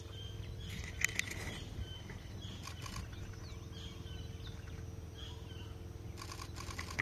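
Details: A Horsfield's bronze cuckoo in Thailand gives faint, high, down-slurred whistles, repeated every second or so, over a steady low rumble and a few sharp clicks.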